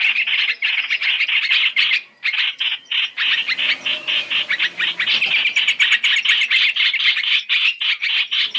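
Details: Three-in-one lure of masked laughingthrush (trao trảo) used for trapping: bursts of harsh chattering broken by short silences early on, then a denser, faster run of scratchy, rapidly repeated squawks.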